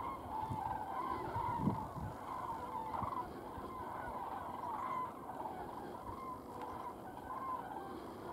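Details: Common cranes departing the Strabrechtse Heide heath on 23 January 2016: distant rolling trumpeting calls from several birds recur through the clip over a constant low rumble like road traffic.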